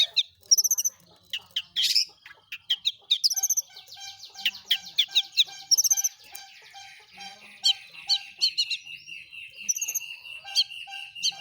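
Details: Long-tailed shrike singing a lure song meant to set other shrikes singing: a busy jumble of harsh notes, short whistles and mimicked chirps, with repeated high squeaky bursts and sustained whistled tones.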